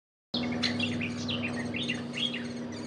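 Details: A great spotted woodpecker at feeding time gives a quick run of high, arched chirping notes in steady succession, over a constant low mechanical hum.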